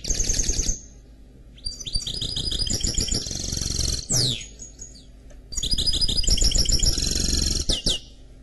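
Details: Canary x goldfinch hybrid (mule) singing: bright rapid trills and buzzy rattling phrases broken by short pauses, with a fast downward-sweeping whistle near the end, over a steady low rumbling background noise.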